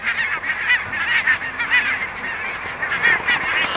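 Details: Flock of geese, Pink-footed and Brant, by the Borreby bogs in low, watery country. Steady chorus of overlapping nasal honks with no pauses, loud and close throughout.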